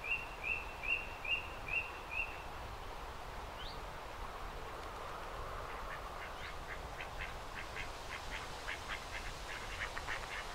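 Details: Common moorhen, an adult with two juveniles on a pond near the former Durham Light Infantry Museum, 29 June: six thin high peeps about every half second, then a faint burst of rapid ticking pulses over steady background noise.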